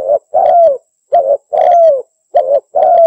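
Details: Female spotted dove, her call used to draw in males, giving close, loud, mellow coos: short note, long coo sliding downward, short note again, repeated rhythmically with no other sounds.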